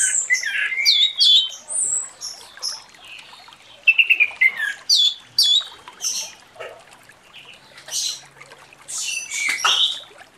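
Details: Orange-headed thrush singing in the morning in the loud, free-flowing style called ngeplong; a varied run of high whistled and chattering phrases, some sliding down, some buzzy, with short pauses between bursts and a quiet background.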